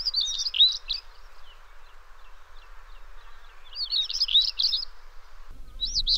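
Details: African stonechat (Saxicola torquatus) at Parque da Devesa, Vila Nova de Famalicão, giving short bursts of scratchy, high twittering notes about every three seconds over a steady background hum, with a low rumble near the end.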